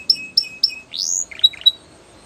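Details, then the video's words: Belgian canary giving three sharp separate chirps, a single rising whistled sweep, then two short buzzy notes, in a clean quiet recording. "The Most Beautiful Canary Singing | Belgian Canary Song"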